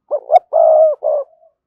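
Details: Decoy spotted dove giving one low, hollow coo phrase meant to stir wild doves into calling: two short rising notes, a long sustained coo, then a shorter closing note and a faint tail.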